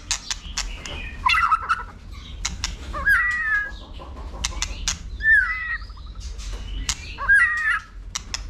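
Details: White-rumped shama roused to sing for competition: short, warbled, mid-pitched phrases repeated roughly every two seconds, mixed with frequent sharp clicks and tapping sounds throughout.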